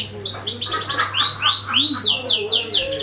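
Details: Canary song for prompting other birds: clean high trills of rapidly repeated sweeping notes, switching to slower arched whistles and then a fresh fast series, over a faint steady hum.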